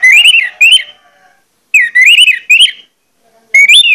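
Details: Varied, wavering whistled phrases from an Orange-headed thrush, a strong lure song meant to make other males sing. Three phrases of about a second each, with gaps of under a second.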